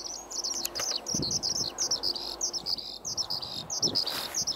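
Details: Skylark singing a rapid, unbroken stream of high, clear chirps and quick slurred whistles that tumble on without pause, over a quiet background with a few faint rustles.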